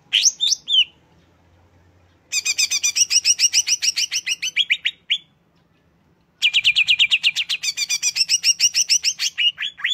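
Greater green leafbird pouring out long bursts of rapid, high, chattering notes, about four per second, with varied sweeps and trills between short pauses.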